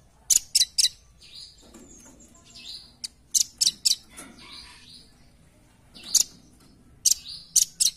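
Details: Velvet-fronted nuthatch lure call, the bird calling persistently: very high, sharp chipping notes in quick bursts of two or three, with quieter downslurred whistles of another bird between the bursts.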